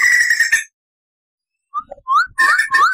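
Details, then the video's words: White-crested laughingthrush on a tutor recording: a short fast trill ends, then after silence come separate rising whistled notes and chattering phrases mixed with quick upslurs. "SUARA MASTERAN POKSAY JAMBUL GACOR NGEROL"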